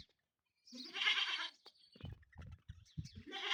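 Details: Indian peafowl fighting: one gives a loud, harsh, nasal wail about a second long, followed by low thuds and scuffling, then the start of another call.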